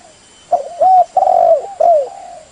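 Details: Spotted dove cooing, a lure sound for bird catching or shooting: a short soft note, then three mellow hooting coos, the middle one drawn out and slightly falling, over a faint constant high-pitched background tone.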